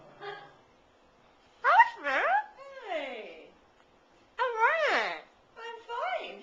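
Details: Pet parrot kept indoors, talking in a cheerful mood and using old-timey speech, saying "How are ye": several short voice-like phrases with bending, wavering tones, separated by brief pauses in a quiet room.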